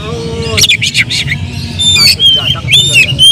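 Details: Kacer, the oriental magpie-robin, in emotional lure song: a low whistle, then harsh noisy bursts, followed by clear high descending whistles, over a low hum.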